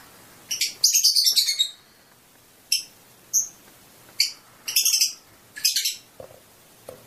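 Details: Fischer's lovebird, singing to prompt mating, gives scattered squeaky twitter bursts and single sharp chirps spaced by quiet gaps of about a second, over a faint background hiss.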